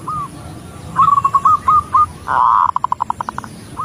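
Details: Female zebra dove calling the male; a few soft hooked coos, a longer blurred note, then a quick descending string of short pulsed notes over faint background hiss.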